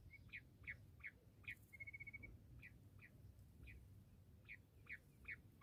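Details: Bush quail calls, described as a quail hunting call: a quick series of short, sharp downslurred chips at uneven intervals, broken midway by a brief steady high tone, over a low background rumble.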